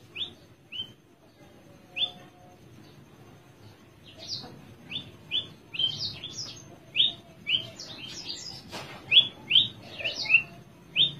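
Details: Caged Horsfield's bush lark of the spotted (trotol) kind, perched relaxed while singing: short upslurred whistled notes, spaced at first, then quickening into a varied run of bright, higher chirps and slurs toward the end.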